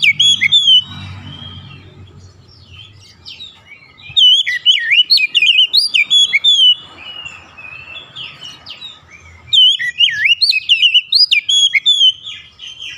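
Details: Oriental magpie-robin lure song to prompt other magpie-robins to sing: three long, energetic bursts of rich whistles, twitters and quick upslurs, separated by short quieter stretches with low background rumble.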